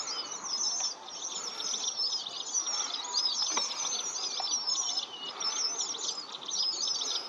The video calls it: Red avadavat( ಕೆಂಪು ರಾಟವಾಳ) birds in mass. Nice to hear chirping sound.